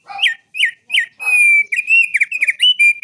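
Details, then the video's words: Bar-winged prinia in energetic song laced with straw-headed bulbul material, called an odd sound. Three bouncy whistled notes lead into a long steady whistle. Fast, warbling, dipping whistles follow without pause. "Prenjak Gunung Asli Gacor Isian Burung Cucak Rowo Suara Aneh"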